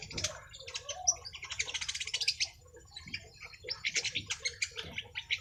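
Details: Young long-tailed shrike singing persistently, unloading its repertoire of borrowed phrases: dense, scratchy, high chattering bursts with quick buzzy trills, a short rest, then more rapid rattling notes.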